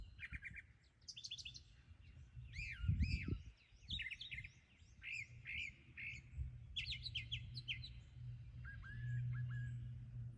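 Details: Brown thrasher running through its repertoire in a rapid series of varied phrases, many notes doubled or repeated: chirps, slurred upsweeps and downsweeps and quick trills, about four notes a second, over low background rumble.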